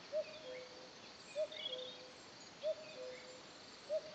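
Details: Four repeated cu-coo calls from a common cuckoo in the Lot countryside of France. Each is a bright upper note sliding down to a softer lower one, about every 1.25 seconds, over a quiet hiss and distant twittering.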